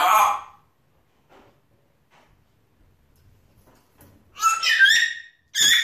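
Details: A pet African grey parrot indoors, chattering to himself: a short muffled mumble, a near-silent pause, then bright, rapid, twisting whistled syllables in two quick bursts.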